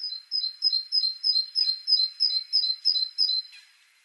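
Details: A Great tit (Parus major) rattling off about ten fast two-note phrases, high then slightly lower, in a steady, regular rhythm.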